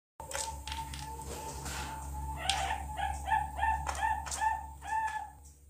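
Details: Two-month-old Bangkok zebra dove chick, a captive bird learning to sing, gives a run of short, clipped cooing notes about three per second over a steady background hum, with a few rustles before the calling begins.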